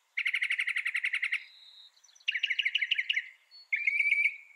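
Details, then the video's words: Mockingbird delivering a quick series of about a dozen identical chirps, then a jerky, varied phrase, then a thin whistled trill; each segment switches abruptly to a new sound type. "Mocking Bird sound"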